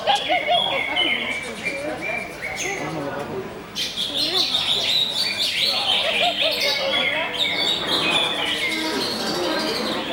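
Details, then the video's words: Rapid song of a greater green leafbird, mixing sliding whistles, scratchy chatter and sharp high notes in a fast, continuous flow of about two notes per second. "CUCAK HIJAU BUSSER"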